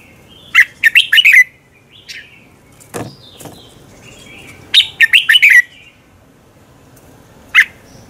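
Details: Red-whiskered bulbul contest song for training captive birds: two energetic phrases of five slurred notes, a sharp click between them, and a single loud note near the end.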